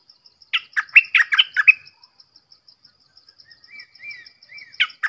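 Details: Red-whiskered bulbul singing a quick burst of six or seven liquid, warbled notes, then soft rising whistles and a final two-note phrase, over a steady high ticking pulse repeated a few times per second.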